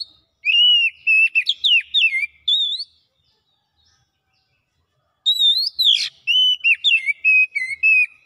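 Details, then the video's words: Kacer, the Oriental magpie-robin, in vigorous gacor song showing its isian repertoire: two bursts of whistled, warbling phrases with sweeping slides and a harsh sharp note, separated by a two-second pause, no other sounds. "KACER MALAS BUNYI NYAUT GACOR BONGKAR ISIAN"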